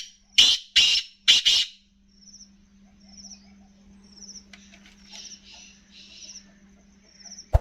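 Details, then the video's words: A grey francolin (teetar) calling while playing in soil gives three loud, harsh, grating notes in quick succession, followed by faint high small-bird chirps over a steady low hum. "Matti main Khelta Teetar k Sath Bolta Speeder Teetar"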